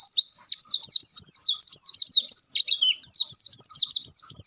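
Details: Long-tailed shrike in full bongkar isian song for masteran use: loud, continuous chatter of high slurred whistles and sharp chips, rising and falling quickly with hardly a break.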